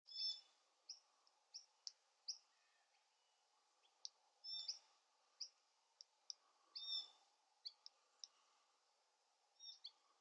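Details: Glossy black cockatoo fledgling being fed, giving short, harsh, high calls with stacked overtones, repeated irregularly in quick bursts, with a faint steady hum underneath.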